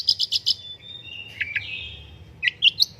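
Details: Long-tailed shrike (cendet) singing energetically, a master recording used to prompt other birds. A rapid run of four high chips leads into long, drawn-out whistled slurs, then a few sharp scratchy notes at the end.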